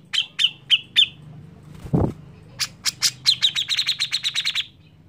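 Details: Lively grey-cheeked bulbul song used as a prompt for other birds: a few sharp chirps, a dull thump, then a fast, accelerating chattering trill of bright notes.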